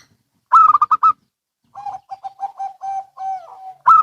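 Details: Local and Bangkok zebra doves calling alternately. A loud rolling burst of rapid notes is answered by a row of short coos ending in a long drawn note. A second loud burst begins at the end.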